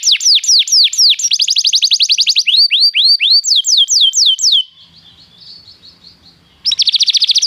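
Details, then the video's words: Canary song played to make a canary sing: fast repeated downward-sweeping whistled notes in changing tours, a short pause with faint low hum, then a rapid high trill resumes. "toque imediatamente esta espetacular canção do canário"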